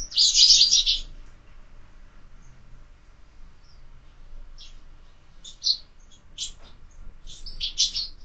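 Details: Morning at a feeder fixed to a window: a loud burst of sparrow chirping opens, then short high chips return after a pause, clustering near the end.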